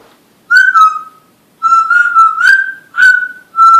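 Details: Pet talking parrot, a female, at a business in Green Bay, Wisconsin, whistling in front of customers: clear, steady whistled notes around one pitch, given in three drawn-out phrases with slight wavers and brief pauses.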